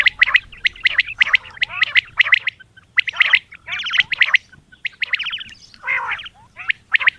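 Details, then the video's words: Female common quail calling in the early morning: bursts of rasping, chattering notes grouped in rapid twos and threes, repeated about every second, loud and close, with faint low hum. "Common Quail Calling | Batair Ki Awaz | Quail sounds 2020 | Female Batair Calling Suba Lagty waqte"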